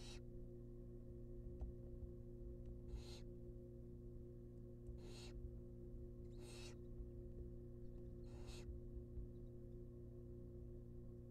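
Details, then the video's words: Barn owl chicks in a wild nest box begging while fed a rabbit, giving five harsh, hissing screeches spaced about two seconds apart against a constant low hum. "Watch Barn Owl Babies Get Fed A Rabbit"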